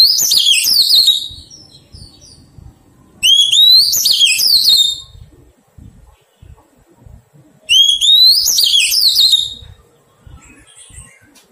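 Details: Three loud song bursts from a wild-caught Oriental magpie-robin under taming, each a rising whistle that tumbles into dense, twittering warbles, spaced about four seconds apart, with faint rustling between them.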